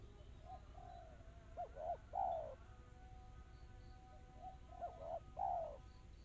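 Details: Two phrases of spotted dove song, delivered in the rapid, tight, crystal-clear style (kristal rapat cepat). Each phrase has two quick soft coos followed by a longer, falling coo, with quieter coos before them over a steady low hum.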